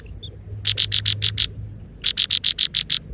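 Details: Chicks in a nest being fed by parent birds give two bursts of loud, sharp, high chirps, six or seven rapid notes each, separated by a short pause, with low background hum.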